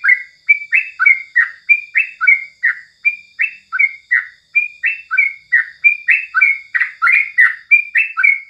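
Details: Yellow-vented bulbul in the morning, giving a rapid, evenly paced chain of bubbly, slurred notes, roughly three per second, that alternate between higher and lower pitches.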